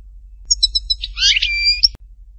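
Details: Goldfinch song from Htatba in Tipaza: a few quick high ticks lead into a tangled buzzy twitter with a rising note, then a thin sustained whistle, followed by a sharp click.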